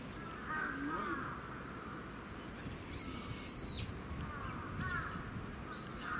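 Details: Japanese bush warbler moving about in a thicket in a park, 8 February 2017: two short, harsh, buzzy bursts, one in the middle and one at the end, over steady low background rumble.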